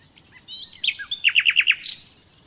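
A nightingale sings a rich phrase: a few clear whistles, then five quick repeated downslurred notes, ending in a high rising note.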